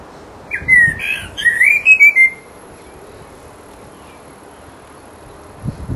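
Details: A resident blackbird's mating song: one rich whistled phrase of several fluty notes with a high twittered flourish, followed by about three seconds of near silence.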